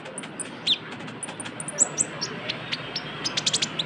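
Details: Brown-throated sunbird (konin) in trotol style used as a lure: scattered high ticks and short whistles, then a quickening run of sharp chirps toward the end.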